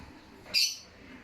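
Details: A single short, high, scratchy squawk from a cockatiel kept in an aviary with opaline birds, rising out of faint background hiss and fading within a quarter second.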